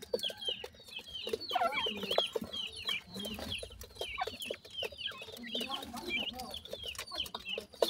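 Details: Grey francolin chicks feeding as a family: continuous shrill peeps in quick runs, occasional longer wavering notes, soft low clucks and constant scratchy ticking in the background.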